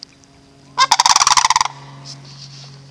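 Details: Sandhill cranes at Riefel bird sanctuary: a loud, rolling, rattling call of rapid pulses lasting under a second, rich in harmonics, then quiet background with faint distant bird notes.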